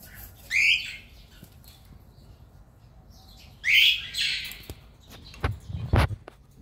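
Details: Cockatiels kept as pets call twice, each a brief shrill rising screech about three seconds apart, with soft clicks, thumps and faint rustling between and after the calls.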